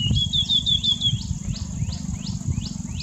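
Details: White-naped tit giving a fast series of high, thin, down-slurred notes, first tightly packed and brighter, then spaced more slowly at about three per second, over low rumbling background noise.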